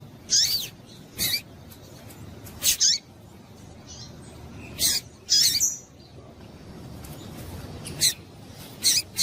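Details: Female Double-collared seedeater call, used to stimulate males to sing: brief, very high chirps come in irregular ones and pairs, about ten over nine seconds, over a steady low hum.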